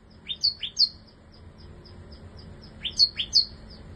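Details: Caged bar-winged prinia in a new cage; two bursts of a few sharp, high, downward-slurred chirps with thin whistled notes between them, about two and a half seconds apart.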